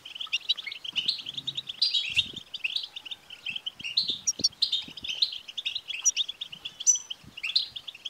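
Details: Stimulating betbta chatter from a European goldfinch to prompt a male to sing: an unbroken run of twittering phrases with rhythmic high sparkling notes recurring every second or so, plus occasional soft low thuds.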